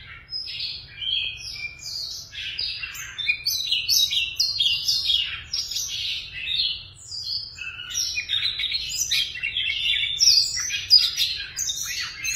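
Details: Tame caged Siberian rubythroat in sustained song: a long, fast, jumbled stream of high chirps, twitters and short whistles, rising and falling in loudness without clear breaks, over a low electrical hum.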